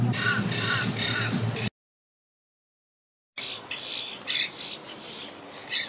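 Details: Wild Quaker parakeets from a colony at a yacht club, a group rebuilding after losing about half its members to Hurricane Irma in 2017. Rapid harsh, buzzy squawks repeat in a dense burst, then a break, then scattered raspy screeches.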